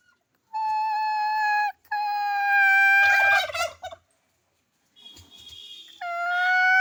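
A turkey gives a rapid, rattling gobble between long, steady, high-pitched held notes, with a softer burst of calling near the end.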